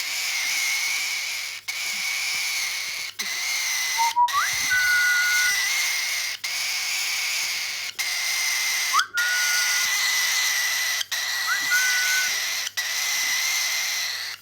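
A baby cockatiel gives a steady raspy, hissing wheeze, broken by a few short rising whistles.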